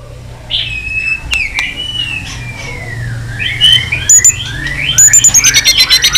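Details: White-rumped shama in a many-voiced fighting song: long sliding whistles descending smoothly, then a run of short high notes, over a low steady hum.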